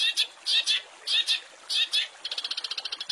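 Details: Master recording of long-tailed shrike fill-in song for training songbirds: paired loud harsh notes repeated in three phrases, followed by a quick run of a dozen short ticking notes.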